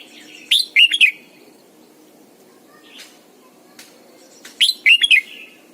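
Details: Red-whiskered bulbul, a caged decoy bird singing in the morning in the double-note mature wild style, repeats the same rich whistled phrase of four looping notes twice, with faint chirps in the quiet gap.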